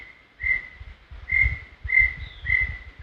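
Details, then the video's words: Brown tinamou whistles from Serra do Brigadeiro State Park: a run of five level, drawn-out whistled notes about half a second apart, accompanied by low rumbling handling or wind noise beneath them. "Som limpo do canto🎵 do Inhambuguaçu"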